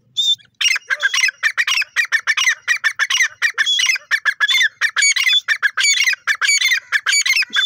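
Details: Grey francolin, known locally as dakhni teetar, calling loudly: a rapid, continuous run of harsh, ringing, squeaky notes packed closely together and repeated without pause throughout, with no other clear sounds.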